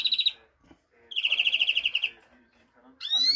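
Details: European greenfinch delivering a rapid, evenly pulsed buzzing trill of about a second, framed by a brief trill fragment and a rising whistled note.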